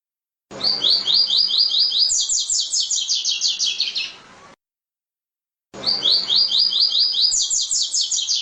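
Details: Double-collared seedeater; song; communicating with other seedeaters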